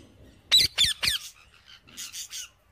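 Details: Parrot while eating seeds: a burst of three loud harsh squawks in quick succession, followed by three fainter raspy calls, all high-pitched and noisy.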